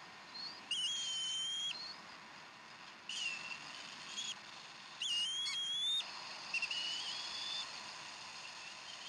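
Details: Wild bald eagle at its nest in Decorah during an evening feeding of fresh duck, 15 April 2012: high thin whistled calls held about a second each, slightly rising, in two bursts with softer chirps between, over steady hiss.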